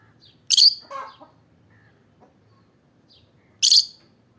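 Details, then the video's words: Piercing, shrill chirps from an olive peach-faced lovebird, one near the start followed by a short scratchy chatter, then a matching sharp shriek about three seconds later in near silence. "Olive peach faced lovebird chirping sound"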